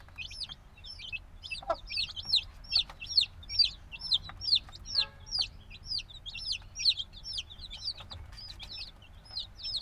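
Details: Little black chicks only days out of the egg, still needing a mother's warmth, fill the air with piercing descending peeps from many birds together, with occasional thumps and a brief rattling sound.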